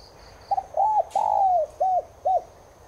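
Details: Cooing Spotted dove (Streptopelia chinensis tigrina), played so caged doves coo along. A stuttered start, an arched note, a long sliding descent and two short end notes. A faint high chirping and a brief burst of noise come before it.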